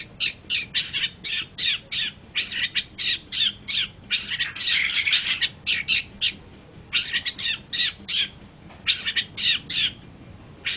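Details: Long-tailed shrike giving harsh, scratchy squawking notes in steady rapid series, each a broad rasping burst, continuing with short pauses throughout.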